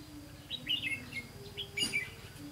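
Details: Red-whiskered bulbul singing during a bulbul-trapping session on 18 September 2016. It gives two bursts of quick, warbled, chirpy notes over a low steady hum.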